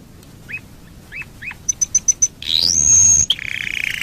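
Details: Domestic canary singing as a lure for other canaries: a few soft upslurred chirps, a quick series of high clipped notes, then a rising whistle sliding into a buzzy trill.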